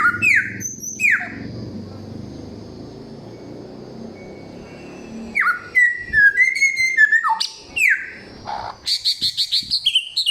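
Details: Loud, clear samyong song in a many-voiced style with forest-bird material. Opens with two falling whistles, then a long quiet gap, then a burst of varied warbled notes ending in rapid buzzy trills.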